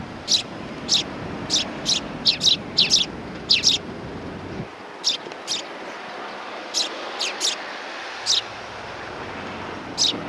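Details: Sparrows meeting a visitor at a Tenmangu shrine on 18 September 2020, chirping repeatedly in short, sharp, high notes, often paired, with a low background rumble fading midway.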